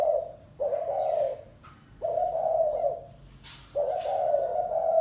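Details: Spotted dove delivering 'gáy gù' style coos: three long, smooth, low hooting phrases with brief gaps between them. Light chirping and clicks are heard behind.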